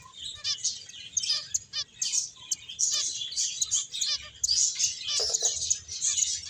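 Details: Finches playing and eating, a flock giving dense, overlapping high chirps and twitters in quick bursts, with brief short notes rising above the steady chatter.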